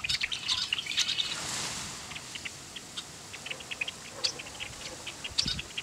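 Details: A flock of red-winged blackbirds at Bitter Lake NWR, Roswell, New Mexico gives a busy chorus of short, sharp chips and tweets, overlapping irregularly at about two per second, with a rushing noise early on.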